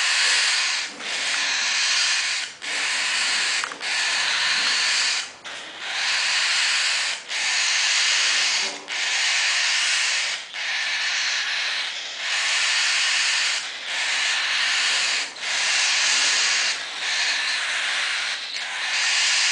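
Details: Baby cockatiels, 22 days old, in pearl gray, pearl pied and pearl cinnamon, give harsh, hissing rasps in steady bursts, about one every second or two.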